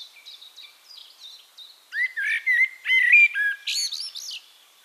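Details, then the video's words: Castricum, the Netherlands: soft high bird notes give way to a Eurasian blackbird's loud mellow fluted phrase of sliding whistles, ending in a strained high squeaky twitter. "One Hour Relaxing Birdsong: Blackbird"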